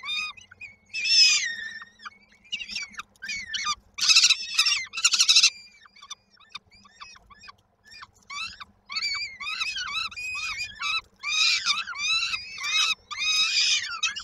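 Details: Peregrine falcon chicks in a Koszalin nest, Poland, on 19 May 2022, waiting for the mother to deliver food, give scattered harsh screeches and clipped, rapid rasping notes in irregular clusters.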